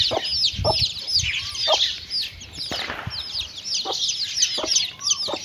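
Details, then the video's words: Hen and chicks eating, high chick peeps over the hen's low clucks, interrupted midway by a brief burst of wing flapping. "Chickens and chicks eating sound"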